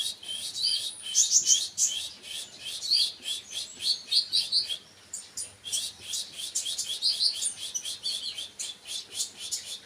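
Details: Rapid, shrill twittering song of a kolibri wakul sunbird, dense strings of sharp high notes with a short gap near the middle before resuming just as fast.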